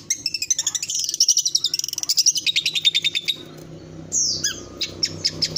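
Long-tailed shrike giving fast, scratchy chattering notes, about eight per second, with high sweeping whistles, then a sharp downslurred note and more clipped chips.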